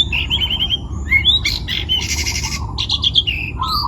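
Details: Long-tailed shrike, a young bird taken from the forest, Pati, Central Java, Indonesia, in full voice: rattling high trills, a rising whistle, a harsh buzzy burst and lower chattering notes in a varied, fast medley over faint low rumble.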